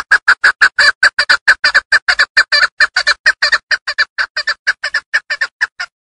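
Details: Tajik hunting hen Chukar partridge from Darvoz calling in a loud, rapid, rhythmic series of raspy chuck notes, repeated several times a second, slowly spacing out and fading before stopping near the end.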